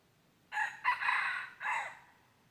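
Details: Red junglefowl crow recorded on 23 January 2022 during junglefowl luring: a three-phrase cock-a-doodle, with a sharp short start, a long hoarse middle and a fading, downward-sloping ending.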